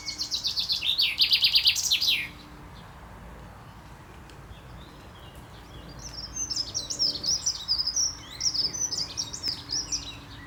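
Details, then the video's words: Chaffinch male singing in courtship display, spring 2024: a loud rattling strophe falling to a final flourish, followed after a pause by a fainter, more distant series of chirping phrases. "Buchfink Gesang singt zwitschert"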